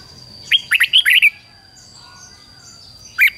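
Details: Red-whiskered bulbul kept as a lure for wild bulbuls, giving one rapid phrase of five or six lilting, chirpy whistles followed by a single note, with a constant thin high tone behind.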